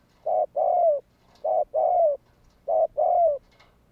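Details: A spotted dove coos to draw other doves into calling: three evenly spaced phrases, each a short hollow note followed by a longer slightly falling coo, about 1.2 seconds apart, against a quiet background.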